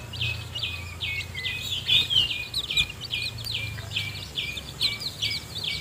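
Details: Newly hatched chicks fed by the mother hen in her nest utter clear, downslurred high peeps. They repeat roughly three times a second, with one brighter whistled note near the middle and a low rumble below.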